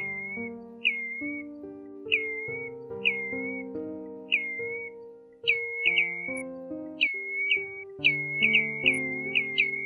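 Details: Pacific golden plover calling to the flock, a 2020 lure recording: spaced single whistled notes, each bending up then holding level, turning into faster clusters of two to four toward the end, backed by soft continuous music.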